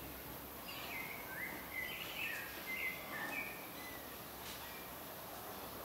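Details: Newly hatched clay-colored thrush (Turdus grayi) chicks in their nest give thin, high, squeaky begging chirps in a brief cluster over steady background hiss.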